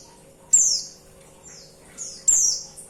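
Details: Female white-eye calling a male: two loud, shrill, descending notes about two seconds apart, with softer, slurred high notes in between.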